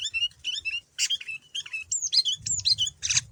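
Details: Singing male sooty-headed bulbul, persistent and packed with learned phrases, used to coax other bulbuls into replying: rapid run of bright chirps, slurred whistles and buzzy bursts, tumbling quickly with barely a pause; faint low rumble underneath.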